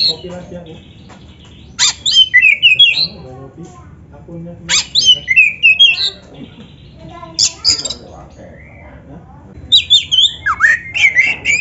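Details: Kacer (Oriental magpie-robin) training song: four energetic phrases about every two to three seconds, each opening with a harsh rasping burst then tumbling into twisting whistled notes, with quiet gaps between.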